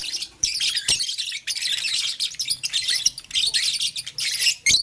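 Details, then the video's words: Lovebirds of blue, lutino and green colouring, toying with a flower, keep up a dense stream of high, grating chirps, with a soft low rumble and a few knocks. "Blue Lutino Green LoveBird Playing Flower - Chirping Sound"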